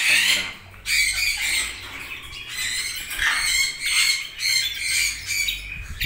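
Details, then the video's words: Red-rumped parrots giving harsh, noisy squawks in overlapping bursts, several calls crowding together over six seconds with brief pauses between loud phrases. "RED-RUMPED PARROT"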